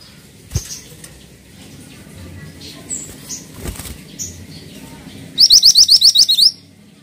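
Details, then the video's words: Pied triller giving a quick burst of about eight high, rising whistled notes in one second, after a few faint scattered chirps. "MANTENAN GACOR"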